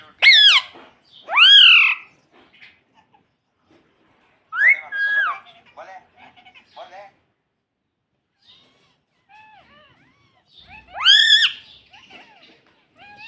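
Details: Pet rose-ringed parakeet talking, mimicking the word "mummy": loud, high, arched harmonic calls, two close together at the start and another near the end, separated by quieter chattering notes.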